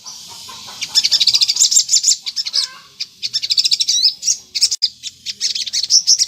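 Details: Sunbird singing vigorously as a lure for other sunbirds to answer: a long, high, buzzy stream of fast twitters and squeaks with a couple of short breaks, starting after a faint hissing lead-in.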